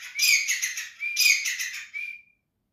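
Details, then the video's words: Grey francolin (teetar) giving two loud, harsh, high-pitched phrases about a second apart, ending in a thin fading whistle. "greyfrancolin best quality voice / teetar sound effect"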